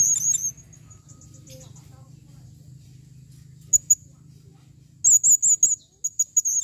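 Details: Female blue-crowned hanging parrot calling: a shrill, very high trilled burst opens, then quiet with two brief squeaks, then a run of four rapid high chirps and a few shorter sharp notes near the end.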